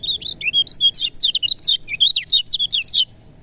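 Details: Lemon-bellied white-eye song used to stimulate reluctant birds to sing: a fast run of high, sweet twittering notes, each swooping up and down, pouring out continuously for about three seconds before stopping.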